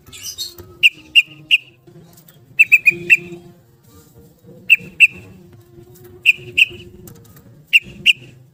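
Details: Yellow-vented bulbul singing in 'ropel' style as a lure for caged birds: short groups of two or three sharp whistled notes spaced by quiet gaps, over a low background hum.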